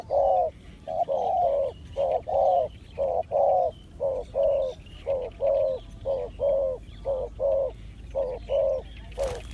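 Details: Spotted dove, known locally as terkukur and named a fitting lure bird, giving a steady run of about eighteen low, rounded coos over nine seconds in short-long pairs, closing with a brief noise burst.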